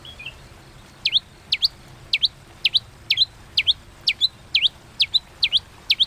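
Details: White-rumped shama in a fighting-song display in the 'kéo thuốc lào' style. Sharp doubled chips ring out roughly twice a second in a steady, even series.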